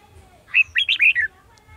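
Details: Red-whiskered bulbul at a trapping site, 18 December 2020. One quick, bright phrase of four or five liquid, warbled notes rises and falls, with faint low background noise.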